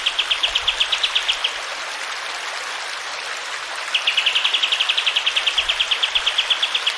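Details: Clear, rapid repeated high notes of a sooty-headed bulbul, for caged birds to learn from, in two bursts separated by a pause filled with flowing water.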